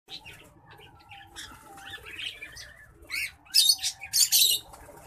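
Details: Green singing finch crossed with black-throated canary, a hybrid finch, gives a varied song of short chirps and warbled notes, ending in several loud, harsh, buzzy bursts, over a faint steady low hum.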